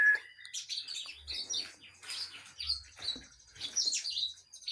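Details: Kinoi in full active song: dense, varied high twitters and short whistled slurs running almost without pause, with faint low knocks in the background.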